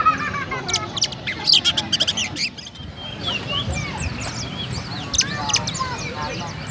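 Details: Sparrow-style song from a caged Oriental magpie-robin in Central Java, Indonesia: dense chirp bursts, a brief pause, then a run of sweeping whistled notes rising and falling, with low murmuring in the background.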